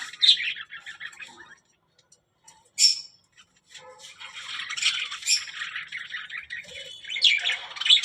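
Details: Budgerigar, a talking parrot, producing scattered harsh squawks and chattering warbles with a quiet pause in the middle.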